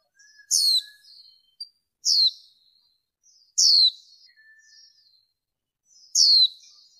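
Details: Female warbling white-eye, recording cleaned of background noise: sharp high downslurred chirps with thin trailing twitter, four calls at uneven gaps of one to two seconds, plus a faint low whistle early on.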